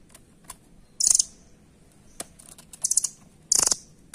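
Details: Rambatan, the velvet-fronted nuthatch, giving three brief, high, rattling trill bursts spaced about a second apart over a quiet background with faint clicks.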